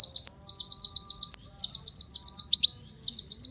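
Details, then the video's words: Kolibri ninja sunbird singing as a lure for other birds: fast series of high, sharp chirps in phrases about a second long, one phrase ending with two dipping notes, separated by brief silences. "Kolibri Ninja Pancingan Penggacor Burung Cocok Buat Isian Segala Burung"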